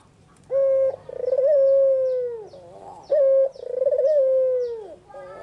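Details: A white, red-eyed Barbary dove sings in the afternoon. Two full phrases each open with a short steady coo, then a long throbbing, wavering coo settles into a smooth note that slides downward, repeating about every two and a half seconds in a quiet setting.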